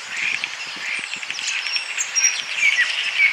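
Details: Common starling (Sturnus vulgaris) in Bryansk, Russia, where starling chicks await their father: a dense jumble of high chatter with thin clear whistles, steady and sliding, over a busy chorus of other birds and insects.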